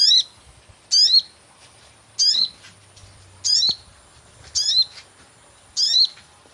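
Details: Sogon lure call for catching birds: six sharp chirps with buzzy overtones, each sliding down and then up, spaced a little over a second apart, with a soft low hum beneath.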